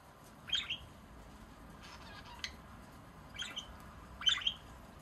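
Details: Two pet budgerigars in Baunatal, Hessen, Germany, on 27 March 2023 give short, scratchy, harsh high-pitched chirps and squawks in three brief bursts over a low background hiss.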